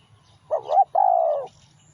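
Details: One clear spotted dove phrase from a lure recording: a quick wavering two-part coo followed by a sustained, gently falling coo, with a quiet background.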